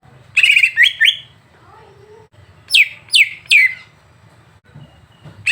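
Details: Greater green leafbird song used as a tutor recording to provoke another bird: loud chattering trill followed by two rising whistled slurs, then three sharp descending sweeps, over a low steady hum.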